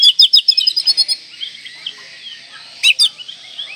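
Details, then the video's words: Oriental magpie-robin in full song, stirred to breeding pitch against rivals: opens with a rapid train of about ten harsh buzzy notes, fades into quiet rambling whistles, then two loud rasping notes near the close. "Kacer Gacor Full Isian Mewah Merangsang Birahi Agar Tetap Gacor Ngobra Dan Lawan Jadi Emosi"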